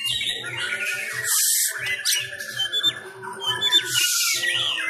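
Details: Caged kacer sumatra, an Oriental magpie-robin, training at home during Covid-19 restrictions, delivers fighting-style song: harsh buzzy phrases and sharp whistles over a low rhythmic thumping background.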